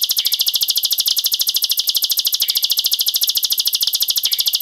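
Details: Plain prinia (ciblek sawah) sings a dense, rapid-fire song: a continuous, very fast run of high, dry ticking notes, about ten a second, with a brief lower slurred note every couple of seconds.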